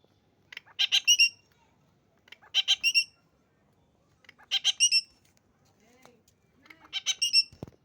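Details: A talking parrot, a pet bathed at 9 that morning, gives four short bursts of harsh, rapid, chattering syllables about every two seconds, with a soft knock at the end.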